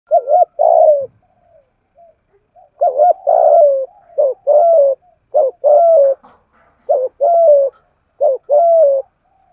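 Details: Spotted dove kept as a decoy for lure training, in the thổ voice style: deep, hoarse cooing phrases of a quick double note and a longer drawn coo, repeated several times with short pauses.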